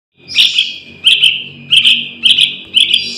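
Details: Young Yellow-vented Bulbul calling, played as a lure for trapping wild bulbuls: five bursts of sharp, high chirps, each a quick double or triple note, spaced roughly every half to one second, over a faint steady thin tone.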